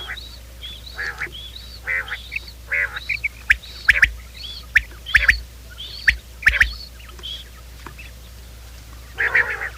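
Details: Morning quail calls meant to draw quail into traps: bursts of nasal, stacked notes alternate with high arching whistles and sharp loud clicks, roughly one phrase per second, with constant low hum beneath.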